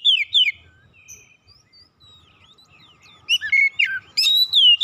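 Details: White-rumped shama (kacer), a stressed bird, giving loud whistled downslurs, then soft quiet notes, then a renewed burst of sweeping clear whistles.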